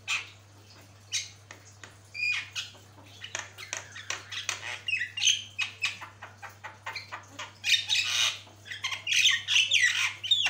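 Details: Long, very vocal jalak kebo song on a long tutor recording: quick harsh chips and squawks at first, building into loud dense rasping bursts and high whistles near the end, steady low hum throughout.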